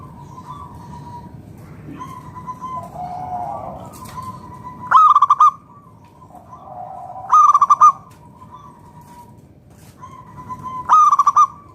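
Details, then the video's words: Local Zebra Dove singing to prompt other doves to call: three loud bursts of fast, clipped cooing notes spaced about three seconds apart, alternating with long level coos and softer murmuring from other doves. "PERKUTUT LOKAL GACOR SUARA PALING AMPUH UNTUK PANCINGAN BURUNG PERKUTUT AGAR NYAUT BUNYI GACOR"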